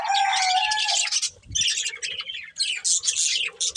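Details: Budgerigar pair feeding and calling; opens with a steady whistled tone under raspy chatter, then short bursts of squawky chirps with gaps, plus a low bump and a faint hum.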